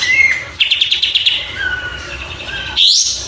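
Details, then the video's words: Oriental white-eye song used as a tutor recording for training cage birds: a clear whistled note near the start, then a run of rapid buzzy twittering notes, a lower drawn-out whistle, and a bright rising phrase at the end. "Suara Burung Kapas Tembak"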